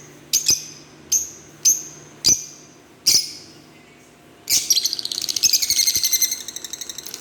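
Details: Green Fischer's lovebirds give five sharp high chirps at regular intervals, then break into a rapid, buzzy pulsed chatter.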